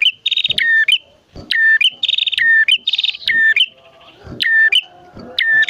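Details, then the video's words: A male and female bar-winged prinia in lively song, a lure for captive and wild prinias: dry, fast trilled bursts, each answered by a lower drawn note and a sharp upward flick, then a brief pause. "Burung Prenjak Jantan Betina Gacor Dor"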